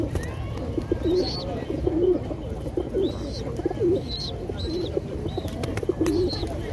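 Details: Racing pigeons in South Africa coo in low, throaty, overlapping rolls throughout, while a small bird's high chirps break in every second or so.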